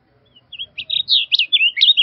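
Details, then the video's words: Short burst of blue grosbeak song: a brisk series of sweeping, slurred high notes rising and dropping, about eight notes in under two seconds, with faint low rumble beneath. "Blue Grosbeak Singing - Azulillo Grande Cantando"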